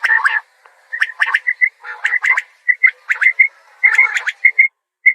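Common quail calling: quick clusters of clipped, liquid notes with a clear whistled ring, repeated in bursts about once a second, with faint rough clicks between.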